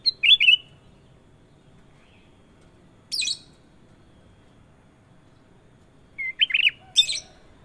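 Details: Sooty-headed bulbul giving short, chortling whistled phrases at the start and again after a long pause, with a few hissy, scratchy bursts in between over a quiet background.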